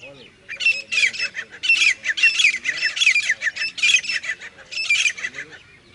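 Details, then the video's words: Loud, strident grey francolin calls, harsh high notes bunched into rapid repeating phrases with brief pauses between groups, over a calm, faintly humming background. "पच्चिम डबल तीतर की आवाज़ | West Dubal Frencolin Voice"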